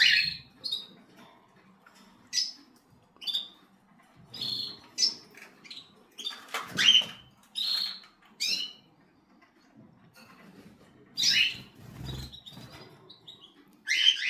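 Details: Cockatiel calling in irregular bursts: shrill chirps and scratchy squawks, some in quick pairs, with brief pauses between, and low thumps in the background.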